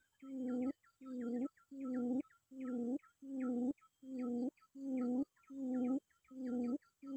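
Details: Steady series of about nine low hooting calls from a quail seeking a rival, evenly spaced less than a second apart, each opening with a short higher flick.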